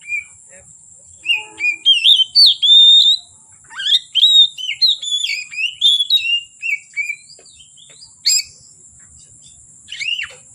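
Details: An oriental magpie-robin pours out varied whistles and chattering notes in energetic bursts, with a short pause before a sharp final phrase. It is said to sing from afternoon into the dark. A steady high-pitched whine persists.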